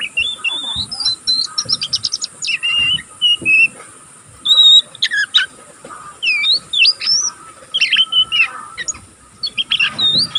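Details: Continuous twittering from a young oriental magpie-robin still learning to sing, kept as a cage bird: bursts of sharp whistled slurs, rising and falling notes and rapid chip series, separated by short pauses.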